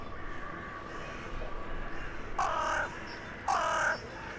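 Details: Crow in a town centre on the evening of 23 January 2021, calling to companions arriving for the night, utters two loud grating caws about a second apart against a quiet background.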